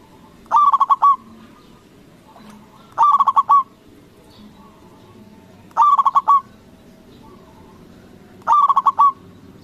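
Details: Local zebra dove calling loudly to provoke rival doves to answer: four cooing phrases, each a quick burst of rolling, bubbling notes, spaced about every two and a half seconds over quiet background.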